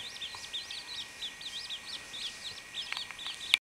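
A chachalaca chick peeps in a quick run of thin, high notes, each briefly rising and falling, about four a second, with a few sharp clicks at the end.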